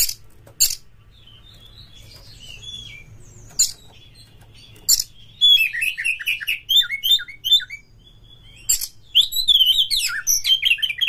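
An Oriental magpie-robin sings rich, varied phrases of sweet whistles, slurred notes and scratchy chatter, with sharp clicks and broadband bursts scattered through.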